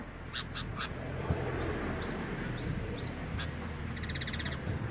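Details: Male and female sooty-headed bulbuls in mating condition, nyrecet-style calling: three harsh rasping bursts, then a run of short high clipped notes repeated about twice a second, ending with a fast buzzy chatter over hissing background.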